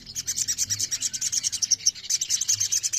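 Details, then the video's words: Sogon, or ruby-throated myzornis, singing a thin, high, unbroken twitter of fast, sibilant notes that rise and fall in quick pulses for three seconds. "TERAPI OMBYOKAN SOGON LANGSUNG BUNYI"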